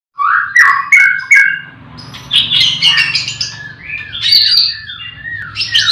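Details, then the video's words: Caged white-rumped shamas in a breeding aviary in the morning, with many birds singing. Loud whistled phrases with sharp rising and falling notes, then a run of buzzy, scratchy trills and sliding whistles, with a low hum beneath. "Pancingan murai batu di kandang ternak ll chirping magpie"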